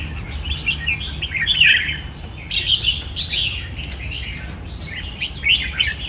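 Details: Red-whiskered bulbul kept in a cage, giving scattered whistled, warbling phrases in three separated bursts over a constant low background hum.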